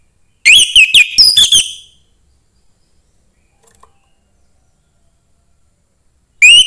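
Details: Orange-headed thrush, a young forest bird, singing to stimulate other thrushes: a rapid burst of bright, high whistled and chattering notes lasting about a second and a half, a long silence, then a new phrase beginning at the end.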